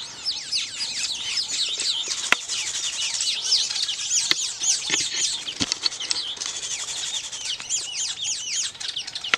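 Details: Weaver birds busy with nest building, a colony chattering nonstop: rapid, overlapping squeaky chirps and sizzling twitters, many birds at once, with occasional sharp clicks and wing flutters among them.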